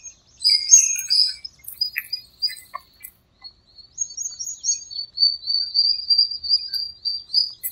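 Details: Several birds singing at dawn in a small park during breeding season and the rainy season: high chirps and twittering, then long sustained high whistled notes running through the second half.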